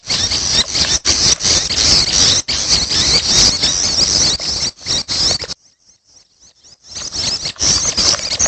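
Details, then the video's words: Young ashy tailorbirds begging: dense, hissy, high-pitched chatter in rapid bursts, loud and nearly continuous, with a short near-silent pause at the midpoint before the harsh wheezing resumes. "Suara Anakan Prenjak Atas || Prenjak Kepala Merah || Suara Anakan Ciang"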